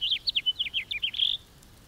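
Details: Brief, lively house finch phrase: a rapid string of high, slurred chirps and downslurs that finishes in a buzzy trill, then falls silent.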